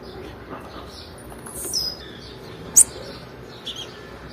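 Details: One sharp, very high chirp of a female blue-black grassquit, a call meant to stimulate males, stands out after a faint thin whistle, over quiet background.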